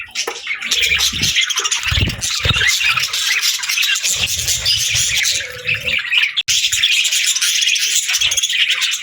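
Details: Budgerigars, also called parakeets, chatter together as a flock: dense, continuous high warbling and chirping with rapid squeaky notes, broken by a brief pause near the middle and a few soft low thumps.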